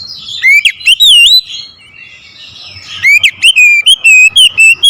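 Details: Oriental magpie-robin provoked into aggressive singing toward a rival, giving a few loud swooping whistles, a quiet pause, then a fast run of sharp, even whistled notes.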